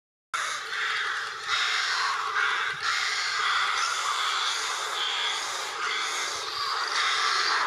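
A young long-eared owl gives harsh, hissing, drawn-out begging calls that run almost without a break, rising and falling in loudness every second or two.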